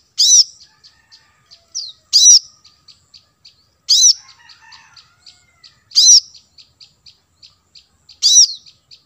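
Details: Plain-throated sunbird (kolibri kelapa) lure sound for attracting wild birds: loud, high, sharp notes about every two seconds, separated by evenly spaced soft ticks.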